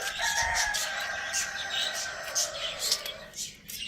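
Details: Morning crow of a pet rooster housed with hens, chicks and budgies: a sustained, strained crow held for over three seconds, partly buried under busy high-pitched budgie chatter.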